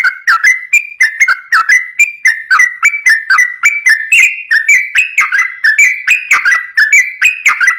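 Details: Energetic continuous song of a sooty-headed bulbul, used as a training lure for young or wild-caught bulbuls. An unbroken stream of clear whistled notes alternates higher and lower pitches, each note dropping in pitch, with sharp clicky accents throughout and no other sounds.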